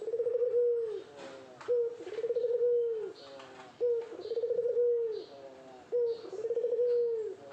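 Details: Courting Barbary dove cooing eagerly to a female: steady cycles of a brief clipped note and a drawn-out, vibrating purr, repeating roughly every two seconds, with faint background clicks and noises.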